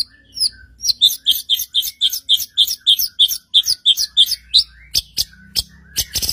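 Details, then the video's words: White-rumped shama song meant to stir other shamas into singing; a long run of regular high chipping notes about four per second, followed by several sharp clicks. "murai batu gacor AMPUH untuk PANCINGAN murai batu agar bunyi JADIKAN burung murai gacor EMOSI NYAUT"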